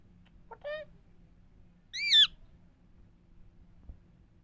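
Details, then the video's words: Indian parrot, described as talking and saying "Mithu Miya Mithu": two brief harmonic, nasal utterances, a short lower one near the start, then a louder, warbling, rising-and-falling one about a second later, over a faint steady low hum. "Indian parrots talking Mithu Miya Mithu parrots sounds"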